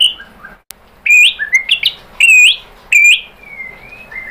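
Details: Song of a white-rumped shama (murai batu), used as a lure to draw answers from other shamas: loud, rich whistled phrases with rising and falling slurs, separated by short gaps, ending in a soft trailing whistle.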